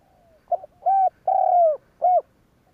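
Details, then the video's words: Deep, mellow phrase from a spotted dove meant to set off other doves' cooing, with a quiet lead-in, then a short hoot, a long drawn coo that slides down, and a brief closing note. "Tiếng cu gáy kích bổi kích sẽ gáy"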